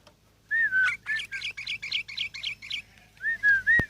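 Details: Ten-year-old sooty-headed bulbul kept by an owner, singing: a clear slurred whistle, then a quick run of about eight short buzzy chirps, closing with two more rising-falling whistled notes.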